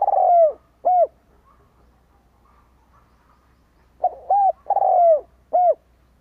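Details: Spotted dove as a decoy for wild birds, two cooing phrases three seconds apart, each a rolling descending coo followed by a short clear arched note, with soft introductory notes before the second.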